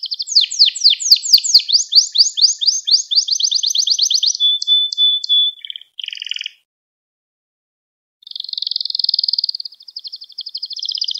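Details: Domestic canary song used to train young canaries to sing: a run of rapid downward-sweeping notes, a long thin whistle, brief rattles, a two-second silence, then a rolling buzzy trill.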